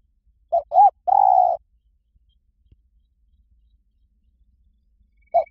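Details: Zebra dove song played to train a bird to sing back: two short soft cooing notes followed by a longer rolling coo, a long silence, then the phrase beginning again.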